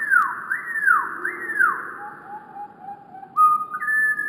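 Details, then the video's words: Wren song slowed down: three loud arching whistles sweeping downward, followed by soft wavering low notes and then two level whistled tones stepping upward. "Wren Birds Singing with Amazing Slowed Down Audio - Bird Song"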